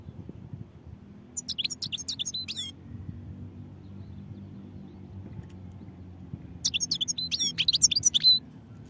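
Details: European goldfinch singing in two bright, rapid twittering phrases of quick high chirps and trills, each lasting over a second, separated by a long quiet gap with faint low background hum.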